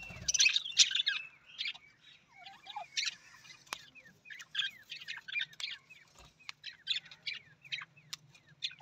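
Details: Budgies warbling softly in a continuous patter of quick chirps, squeaks and downward-sliding whistles, with one louder scratchy burst at the start and a faint low hum underneath.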